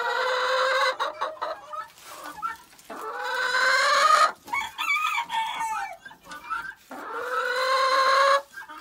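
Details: Homestead chickens calling loudly while being fed and their pen cleaned, fresh leaves added; long drawn, harmonic-rich calls of about a second each, rising then level, in three bouts separated by short pauses, with scraping and rustling in between.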